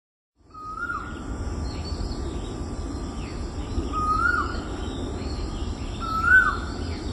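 An Asian koel gives three rising 'ko-el' notes, about two to three seconds apart, over a steady low rumble, a faint hum and thin high insect buzzing.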